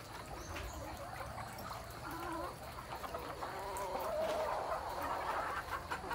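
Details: Hybrid red junglefowl of pradu colouring, due to have its comb trimmed. It gives a short run of low, hoarse clucking notes at an irregular pace, growing louder toward the end, over a steady low hum and background noise.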